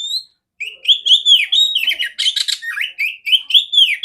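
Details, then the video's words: Female oriental magpie-robin singing continuously, a recording for training other magpie-robins: a flowing series of rich whistled notes interrupted by a patch of harsh scratchy chatter, then more looping whistles. "Terapi burung kacer betina suara besar jernih"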